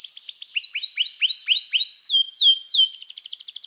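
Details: Canary song for training canaries and calling others to sing: quick repeated notes give way to a series of rising whistled slurs, then loud descending sweeps and a fast rolling trill.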